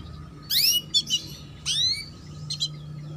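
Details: Female canary chirping cuit cuit, used to get young male canaries singing; two or three clear rising chirps with a couple of short clipped notes, over a soft humming background.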